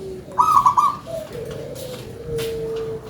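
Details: Big-voiced local zebra dove giving one crisp stuttered high coo, then a short mid note and a long steady low trill fading out.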